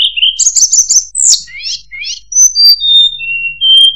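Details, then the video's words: Murai buluh (tledekan) singing a varied, high phrase: short dipping whistles, a burst of fast trills, then sweeping rising notes and clear, level piping whistles. The background is quiet. "Burung Murai Buluh | Tledekan"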